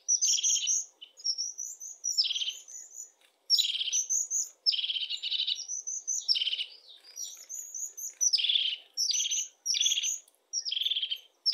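European crested tit giving repeated high, buzzy trilled calls in quick bursts.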